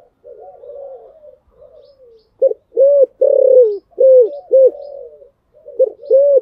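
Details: Spotted dove of the "Thổ Sấm" voice type giving contest coos meant to push another dove into song: soft wavering murmurs first, then a run of short, loud, hollow coos and one long rolling note, otherwise silent.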